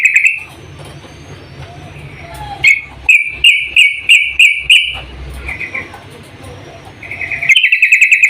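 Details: Yellow-vented bulbul female calling the male: a string of separate, sharp chirped notes about twice a second. They are framed by softer chatter and finish with a loud, fast rattling burst, over a low hum.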